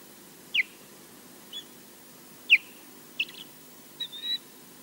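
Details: Nest-defending osprey at Loch Garten, Scotland, facing an intruder only seen far off: sharp descending whistled yelps mixed with softer chirps and a short flat whistled note, irregularly spaced, over light hiss.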